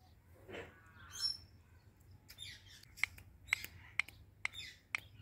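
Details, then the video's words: A pet talking Indian ringneck parrot, being touched by its owner, gives a few soft, rough notes, then five sharp, high chirps about half a second apart, against a faint low hum; rose-ringed parakeet. "Talking Ringneck Parrot | Natural Parrot Sounds"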